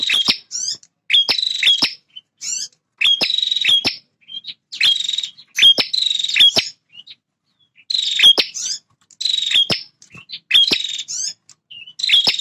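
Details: Male bar-winged prinia, which defends its feeding and nesting territory, sings tirelessly. About a dozen quick buzzy, trilled bursts with sharp ticking notes follow one another roughly every second, with clean silence between them.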